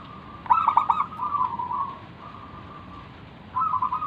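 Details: Zebra dove of local stock singing as a lure to set off other doves: a sharp stuttered onset sliding into a long purring trilled coo, a quieter pause, then a fresh trilled phrase.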